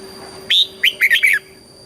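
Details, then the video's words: One song phrase of a red-whiskered bulbul in southern Thai master-pattern style, used to stimulate and train birds: a clear high whistled note followed by four rapid warbling notes, with a faint steady hum behind. "เสียงนกกรงหัวจุก ขวัญใจสายเบิ้ลอาชีพ ฟังแล้วคึกเหมือนเดิม นกไม่คึกห้ามฟัง"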